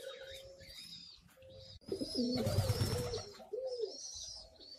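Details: Homing pigeons at the loft, where adults feed their young; a soft low coo rises and falls amid a burst of rustling and wing noise, with thin high chirps from other birds nearby.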